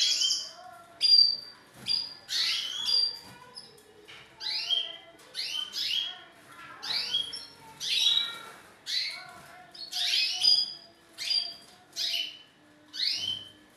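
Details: A male canary courts a female with song meant to bring her into mating position, giving short bright phrases of rising and falling whistles repeated roughly every second without a break.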